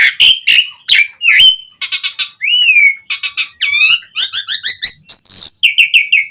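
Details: Asian pied starling delivering vigorous, varied song to call other starlings: short harsh chatters, a clear slurred whistle, clipped repeated notes and a final squeaky trill in quick succession.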